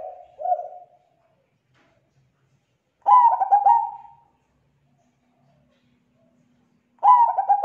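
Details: A zebra dove lure call meant to attract other zebra doves, voice described as thick and clear; a soft coo tail, then two short phrases of quick stuttered notes blending into a low coo, about four seconds apart.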